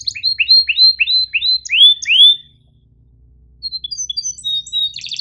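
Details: A canary sings a fast run of about eight rising, slurred whistled notes, then pauses briefly before a burst of high, thin twittering trills; a long "masteran" tutor song of chirps and rolls for teaching canaries to sing.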